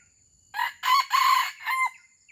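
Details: A red junglefowl from Aceh, kept as a pemikat lure for wild birds, crows once: a short opening note, two long hoarse phrases and a fading last syllable, over a faint steady high tone.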